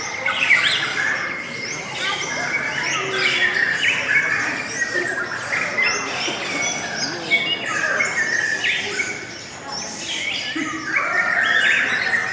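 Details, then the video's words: Lovebirds producing an unbroken, melodious chatter: many quick squeaky notes, trills and squawks repeated at a brisk, irregular pace. "LOVE BIRDS suara yang indah dan Panjang"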